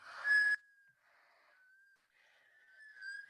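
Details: Black Scoters on Long Island Sound, likely interacting before breeding season, give long, plaintive whistles, steady mid-pitched notes lasting up to a second, the last one drawn out and slightly rising, over surf.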